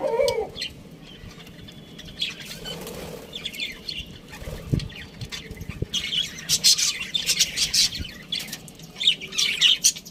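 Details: Budgerigar chirping starts sparse and quiet with a few thin notes and a soft knock, then swells after midway into dense, high, scratchy chatter.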